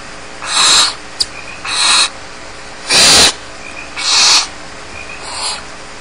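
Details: Nest of barn owl chicks left alone at Starr Ranch: rasping, hissing begging screeches of varying loudness, about one per second, plus a brief sharp click between calls and a low steady hum.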